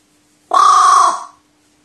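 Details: Kept crow worked into great excitement by a new toy grip, 12 May 2019, gives one raw, strident scream-like caw, held flat for most of a second before tailing off, with silence around it.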